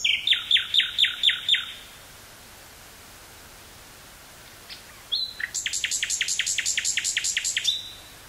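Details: Singing common nightingale, woods near Burgh-Haamstede in the Netherlands, May 18th 1983, portable cassette recorder; a phrase of five loud repeated notes, a pause, then a longer run of about a dozen rapid notes.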